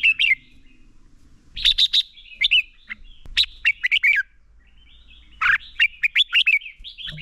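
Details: Competitive fighting song of a Red-whiskered bulbul used as a lure to make other bulbuls sing; rapid clusters of sweet, slurred whistles and sharp chips delivered in three energetic bursts with brief silences.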